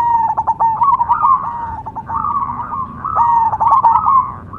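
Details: Cemani zebra dove song made of loud, bubbling coo trills. Each phrase opens with sharp staccato notes and slides into a warbling held tone, repeated about every two seconds.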